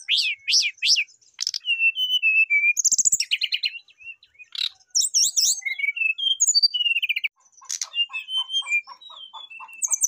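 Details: Brown-chested jungle flycatcher pouring out a varied song full of fill-in phrases while calling a rival: looping chirps, falling whistles, buzzy trills and twittering runs with short gaps; a soft, low, regular pulsing appears near the end.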